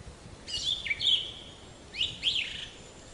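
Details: Black-capped chickadee making two short call phrases, each a high sharp downslurred note followed by a buzzy, nasal note, separated by a brief pause with quiet hiss between.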